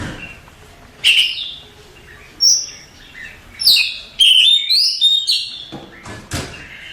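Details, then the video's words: Oriental magpie-robin, a contest champion, giving spaced sharp notes about once a second, then a dense burst of twisting whistles and chirps, ending with a single clipped note. "Suara Kicauan Burung Kacer Juara Kontes Cocok Buat Masteran"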